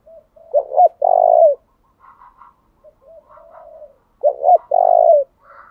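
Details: Spotted dove used as a lure bird, calling steadily to make wild doves reply. Two loud phrases of two short rolling notes and a long low coo, with quieter coos from other doves in between.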